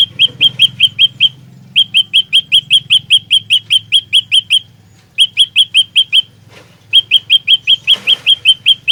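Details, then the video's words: Olive-backed tailorbird pouring out a lure song for trapping, fighter style: four runs of rapid, ringing chip notes, each several seconds long, split by short silences. A faint flutter or rustle is heard near the end. "Burung Prenjak Lumut Pikat Gacor Fighter"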